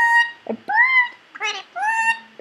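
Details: Pet Indian ringneck parakeet, a three-year-old male, talking indoors, filmed unaware; several tonal, voice-like syllables, some gently rising and falling, separated by short pauses, with a person also speaking to the bird.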